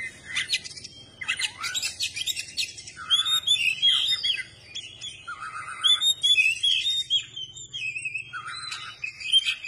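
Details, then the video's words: Singing kacer, Oriental magpie-robin, tail spread, opening with dense scratchy chatter then shifting to looping whistled phrases and buzzy trills, continuous and varied. "kacer gacor dor ,kacer gacor buka ekor"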